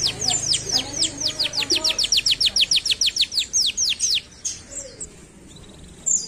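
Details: Canary song: a steady, fast series of high, sharply downslurred notes repeated about twice per second for four seconds, then a pause with softer scattered chirps.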